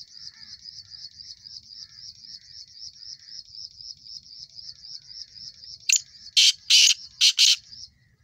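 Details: A long pulsing insect trill fills most of the recording before a young male black francolin in his first season breaks in near the end with a loud burst of five harsh, clipped notes.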